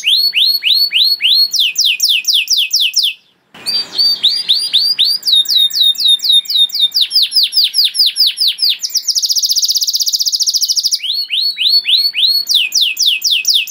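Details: Canary singing a long, varied song used as a master song for training young canaries: series of rapid high downslurred notes, a brief break near three seconds, then a fast buzzy trill and more repeated sweeping phrases.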